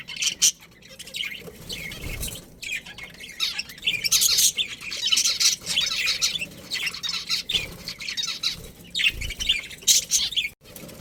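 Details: Colony budgerigars, including a breeding pair, chattering steadily: a busy stream of high, raspy chirps and squeaks that swells and fades in waves over about eleven seconds, with a few sharper notes standing out.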